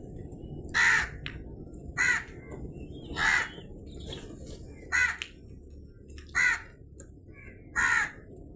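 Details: Crow cawing repeatedly, seven rough, grating caws about one to one and a half seconds apart, with a faint constant low hum behind.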